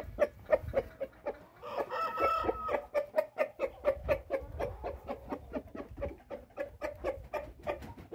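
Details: Pied Índio rooster from Paraná, Brazil, gives one brief, hoarse short crow lasting about a second, among rapid, steady clucks and clicks repeated roughly twice a second; finding: chicken.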